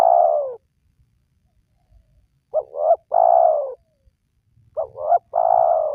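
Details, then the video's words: Spotted dove calling, a sound played to lure lazy wild doves into calling: low, hollow coos in repeated phrases, a short double note followed by a long, drawn-out coo, heard twice in a clean recording. "Pemancing Burung Tekukur Yang Malas Bunyi,Langsung Rajin Bunyi"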